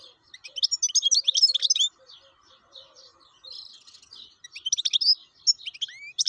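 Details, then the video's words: Wild European goldfinch in full song: a long, fast, jangling twitter run, a softer buzzy passage, then renewed bright phrases ending in a rising whistle. "حسون بري شغال"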